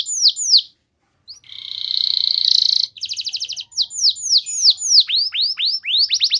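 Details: Canary singing as a lure for other canaries: a few falling whistles, a brief pause, then a long buzzy rattling roll, a quick trill and a series of descending then rising slurred notes.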